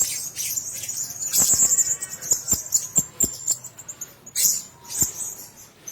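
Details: Several caged blue-crowned hanging parrots utter high, thin squeaky notes over a string of sharp clicks roughly every half second, ending with a loud shrill burst.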